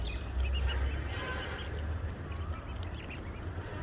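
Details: Small ducklings give short, high peeps in scattered bursts, one with a brief upward slide, over a constant low rumbling background noise.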